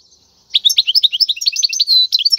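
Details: European goldfinch, wild, singing a training song for young birds: a dense stream of quick tinkling chirps and twitters, briefly broken by a steady buzzy note.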